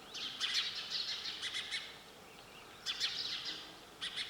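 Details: Sparrow giving two bursts of quick, bright tweets, the first longer and stuttering, then a quiet pause before a second flurry and a final short chirp.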